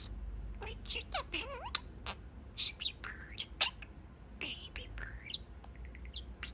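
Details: Talking pet parakeet, a male budgie perched through his cage window to chat with his owners; dense jumbled warbling with sweeping, speech-like chirps and squeaks in quick uneven bursts.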